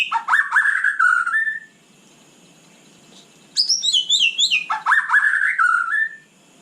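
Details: Night song of a white-rumped shama: two rich whistled phrases that fall from high to mid pitch, split by a quiet pause, with a twittering high passage in between.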